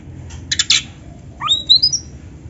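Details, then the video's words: Oriental magpie-robin (kacer) song fragment: a short harsh rasp, then a bright whistle climbing in steps to a high clear note. "SUARA BURUNG KACER GACOR FULL MATERI"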